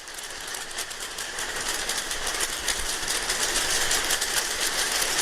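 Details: Thousands of oilbirds streaming into a Venezuelan cave, Cueva de los Guácharos, at night make a dense typewriter-like clatter of rapid dry clicks, with harsh screeches when birds fly too close, growing louder.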